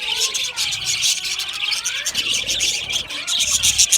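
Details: Australian budgies chirping, a busy, crackling chorus of sharp high notes mixed with wavering warbles that swoop up and down, constant throughout.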